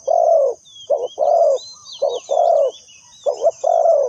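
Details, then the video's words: Decoy spotted dove kept for bird trapping, cooing in repeated phrases: a long mellow coo, a brief double note, then another long falling coo. Thin twittering from other birds sounds faintly in the background. "Suara Terkukur Pikat Tua"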